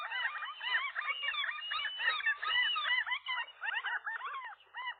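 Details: Gulls wrestling at their rooftop nest as a new pair drives away a lone gull one April morning in 2023. Dense, overlapping squealing and yelping calls, rising and falling, run without a break for the whole stretch.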